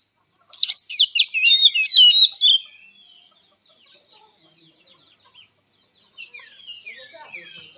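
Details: Short fighting song of an oriental magpie-robin: a two-second burst of rapid high jumbled whistles and trills, then near silence with faint scattered twittering.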